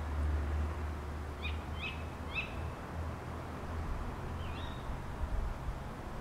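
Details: Early-morning tawny owls in a garden at Beek Ubbergen, the Netherlands, on 28 November 2011: three quick, sharp, high notes, then after a pause one rising shrill call, with low rumbling noise beneath.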